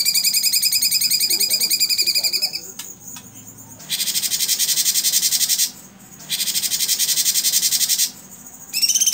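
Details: Blue-winged leafbird (cucak cungkok) singing its prized rapid-fire 'tembakan' style, kept as a tutor song for training other birds: a high trilled, stacked phrase gives way to dense buzzy rattling bursts, each around two seconds, separated by brief pauses.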